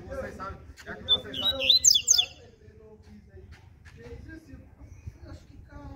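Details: Ziper-style morning song from a double-collared seedeater: a single short burst of high, metallic, zipping notes, heard through nearby human speech that runs before and after the phrase.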